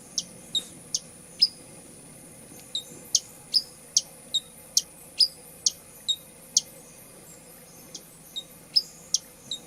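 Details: Hummingbird giving sharp, very high chipping calls, roughly two to three per second in uneven bursts with short pauses, over a faint steady background hum.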